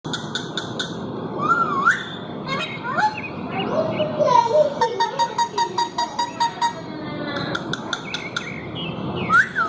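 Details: A pet ringneck (rose-ringed) parakeet talking to a mirror chatters in mimicked speech-like phrases and sharp squawks, with a rapid run of clicking notes midway, in a small room.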